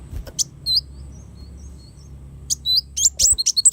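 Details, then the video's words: Sunbird singing, meant as tutor material for cage songbirds: a few scattered high squeaky notes, then a pause and a faster burst of sharp, high chirps near the end, over a low background hum. "suara burung kolibri wulung sangat cocok buat masteran"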